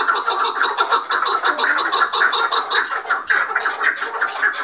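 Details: Agitated chukar partridges, five at once, squabbling and fighting: quick repeated clucking chuk notes, nearly two per second in each voice, overlapping into a continuous rhythmic clamour with bright harmonic overtones.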